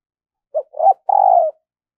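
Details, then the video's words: Decoy spotted dove in daily voice training for luring wild doves, singing a three-part coo: brief low note, rising middle coo and a drawn-out level coo that falls at the end; quiet background. "Luyện Giọng Chim Cu Gáy Mồi Mỗi Ngày"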